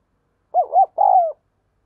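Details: A spotted dove serving as decoy to lure wild doves gives a quick phrase: two rounded, bouncing coos followed by one longer, drawn-out coo that slowly falls.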